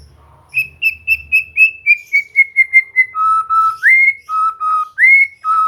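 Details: White-rumped shama singing as a training aid to encourage song: a quick run of clear piping notes that steps gently downward, then longer lower whistles alternating with sharp upward-sliding notes.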